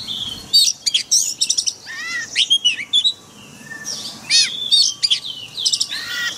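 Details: Oriental magpie-robin singing in forest style for training caged birds; clear whistled slurs and fast chattering trills alternate with quieter stretches, the notes sweeping both up and down.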